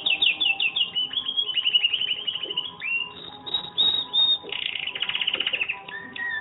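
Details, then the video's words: Canary singing during training, about one month after training began; rapid trilled and rolling phrases with repeated fast notes and short whistled slides, over faint steady tones in the background. "Canary singing in training"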